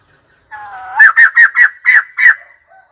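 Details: White-crested laughingthrush call: a soft, low rising warble, then six loud, harsh, evenly spaced cackling notes in quick succession over about a second and a half, fading out at the end.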